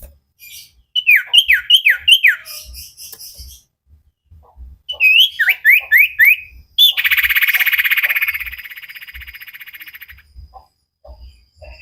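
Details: Training recording of a common iora (cipow sirtu) kept as a cage bird: bursts of rapid downslurred whistles, about four per second, then a long buzzy trill that fades out.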